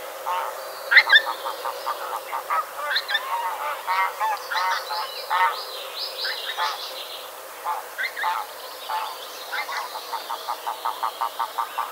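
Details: Pink-footed goose flying close over a hide at Kirriemuir before landing; loud, nasal honking notes come in quick overlapping bursts, then spaced, rhythmic honks repeated about twice a second toward the end, with a hiss of background noise.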